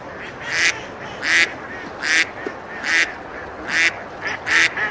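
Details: Ducks quacking as they eat and splash on the river at Besalú, Girona, Spain, in summer; broad, nasal quacks come about every 0.8 seconds, some doubled with a softer note, over running water.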